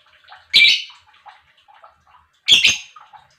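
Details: Lovebird chirps played to rouse other lovebirds: two sharp, harsh double chirps two seconds apart, soft low chatter in the gaps.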